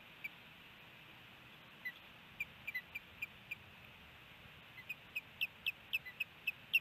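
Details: Ospreys at their nest in Hellgate Canyon, Missoula, Montana, April 27, 2018, on a nest camera: faint short high chirps, scattered at first, then a quick steady series of about a dozen near the end.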